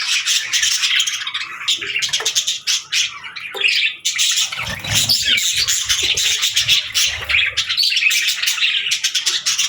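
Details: Parakeets chirping as soothing company for a lonely budgie: nearly ten seconds of busy, overlapping chirps and clicks from several birds, with a muffled low rumble around five seconds.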